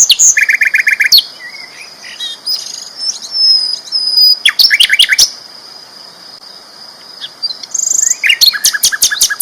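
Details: Sikatan londo flycatcher in strong song: a rattling burst of repeated notes, thin sliding whistles, then rapid high staccato chirps, over a continuous high tone.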